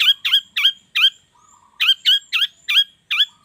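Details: Long-tailed shrike morning lure call meant to make other shrikes sing: short nasal, squeaky notes delivered in quick pairs and runs, with a brief low whistle in a pause.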